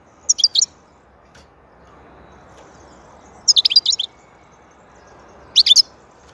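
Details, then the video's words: Goldfinch uttering three brief bursts of rapid, tinkling high chirps, roughly three seconds apart, with steady low background noise between them. "Huzur verici saka sesi mūkemel"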